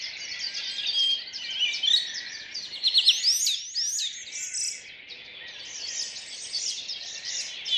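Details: Early May morning in a Rheine city park, 2011, four-track recording converted to stereo: many birds singing at once, twittering trills and sharp rising and falling whistles, with a brief lull before the chorus swells again.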